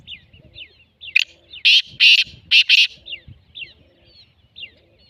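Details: Black francolin calling: a short run of loud, harsh, grating notes bunched in the middle of the clip, with thin chirps from other small birds before and after.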